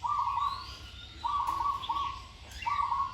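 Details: Zebra dove in training, singing a melodious song of level, rattling coos repeated about every second and a quarter, with faint higher chirps from other birds behind.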